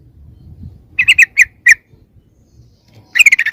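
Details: Sooty-headed bulbul lure call meant to attract others: four or five crisp separate chirps, a short quiet pause, then a rapid chattering burst, over faint low background rumble.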